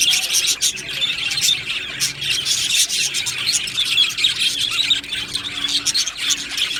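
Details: Budgerigar flock chattering continuously, described as happy budgies; a dense, unbroken wash of high scratchy warbles and chirps from many birds overlapping throughout, with no pauses.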